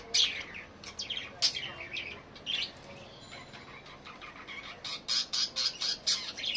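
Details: Budgerigar chirping: bright, rapid chattering notes and short squawky bursts in irregular clusters, with a denser run of repeated sharp chirps near the end.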